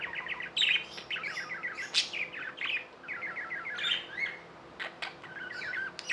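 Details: Pet budgies warbling: fast trilled series of chirps in quick rows, sharp high accents, continuous chatter over a faint hum.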